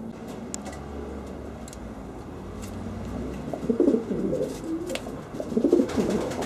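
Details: Homing pigeons in Bensheim: low, throaty bubbling coos build up twice in the second half, over a steady low hum with scattered sharp clicks and taps throughout.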